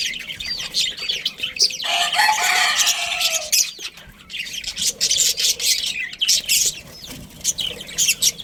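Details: Budgerigar breeding colony: a busy chorus of many overlapping chirps, warbles and squeaks, swelling loudest in the middle, with faint rustling and low knocks.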